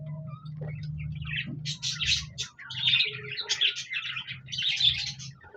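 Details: Budgerigars recorded on 26 January 2024, singing and chirping: bursts of fast, scratchy, high warbled chatter with short clicks and squeaks, rising in density after the second second, over a steady low electrical hum.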